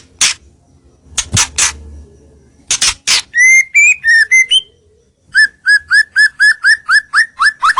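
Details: White-rumped shama lure song meant to bring rivals nearer: a few sharp broadband clicks, then clear whistled notes, followed by a fast series of about a dozen repeated rising whistled chirps.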